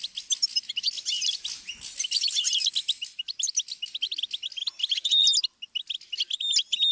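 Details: Goldfinch song used as a learning stimulus for songbirds: a dense, fast twittering of high, sharp chirps and short buzzy trills, with a few clear whistled slides near the end and almost no gaps.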